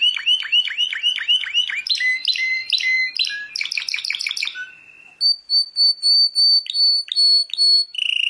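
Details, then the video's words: Singing of a world champion canary: repeated swooping notes, stepped chirps descending in pitch, then pure high whistled notes repeated about twice a second. "Canto de canario"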